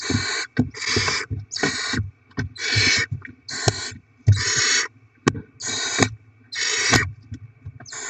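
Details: Barn owl young at the nest as rodents are brought in for feeding; rapid run of eight or nine harsh hissing bursts, about one every second, with clicks and knocking between them.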